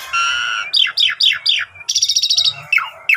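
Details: Asian pied starling in energetic song: a steady whistled tone, then a series of sharp downslurred chirps, a rapid rattling trill, and more falling notes.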